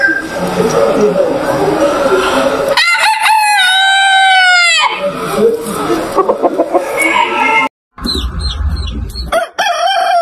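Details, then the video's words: Rooster crowing in a yard: a long, strong crow of about two seconds that rises then holds and falls at the end, set against steady background chatter of other fowl, followed by a brief second burst after a cut. "ROOSTER CROWING - ROOSTER SOUND VIDEOS 2022"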